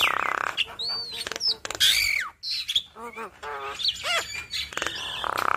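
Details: Yellow-eyed Javan myna chattering keenly and showing off its imitated fill-in phrases: a dense mix of harsh rasping bursts, sharp whistled slurs and short wavering notes with hardly a pause.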